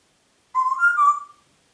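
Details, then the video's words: Congo grey parrot kept in Diebach near Hammelburg, Germany, recorded 4 April 2012, gives one smooth whistle of about a second that rises a little, then settles and fades, in silence. "Kongo-Graupapagei pfeift pfeifen"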